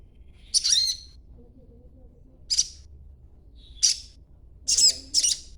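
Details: Young sogon in green juvenile feathers chattering to bait other sogons into replying: short, sharp, very high chirps spaced irregularly, the last two close together, with a faint low hum between them.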